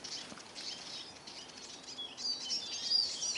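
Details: Eurasian siskins gathered at a bird feeder in Kolmården, Sweden, filmed from the ground beneath; thin high twittering calls, sparse at first and then thicker, with faint wing flutters.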